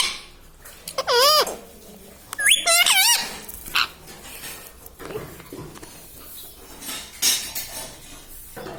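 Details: Pet talking parrot giving two short bursts of harsh, wavering harmonic calls early on, followed by softer scattered sounds and low background noise.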